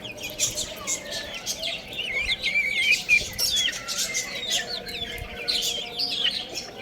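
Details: Little chicks peep continuously as they play and feed, making thin, high, wavering chirps, many sliding downward, in an uneven overlapping stream with faint background rustling.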